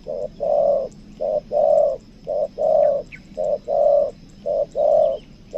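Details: Lure spotted dove of the 'kuk dua' style giving a steady rhythmic series of paired coos, a short note then a longer one, repeating about once a second; brief faint chirps from other birds.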